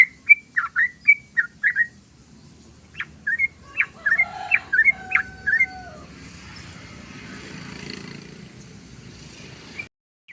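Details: Yellow-vented bulbul song used as a lure to attract birds: bubbly, quick whistled notes around two to three thousand cycles repeated in a lively run, then a faint hiss of background noise toward the end.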